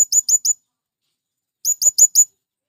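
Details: Two tight bursts of four piercing, high squeaky notes from a male blue-crowned hanging parrot calling to draw in wild birds, with a second of silence between them.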